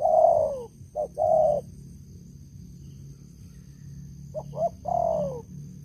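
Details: Loud-voiced decoy spotted dove cooing in two phrases separated by a long pause, each a quick pair of short notes then a drawn-out, downward-sliding coo, with low rumbling noise between.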